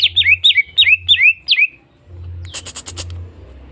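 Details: Greater green leafbird, a fighter-type bird, singing a provoking song meant to rouse other birds: a quick series of six clear whistled notes, each sliding down from high to lower pitch. A burst of sharp rapid clicking notes follows, over a low hum.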